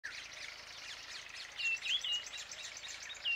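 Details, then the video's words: Marshall's iora in Shekhawati, Rajasthan, India, April 2020, gives short, clear whistled phrases of a few slurred notes over a dense buzzing chorus of other birds and insects. "Most rare bird's song on YouTube Marshall's iora"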